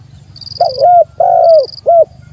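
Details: Spotted dove challenging a rival: one full phrase of three low, soft coos, a rolling double note, a long falling coo, then a short final note. A thin high tone sounds twice over a low background hum.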